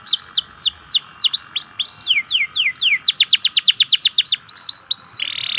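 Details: Local canary song used as a lure to prompt reluctant canaries to sing: repeated high downward-sweeping whistles, then a fast, even trill of sharp notes and a brief buzzy ending.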